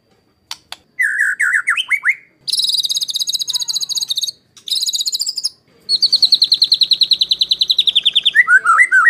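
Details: White-rumped shama 'tembakan kasar' master song for training competition birds: a few clicks, warbled whistles, then two buzzy rattling bursts and a long rapid trill ending in twisting whistles.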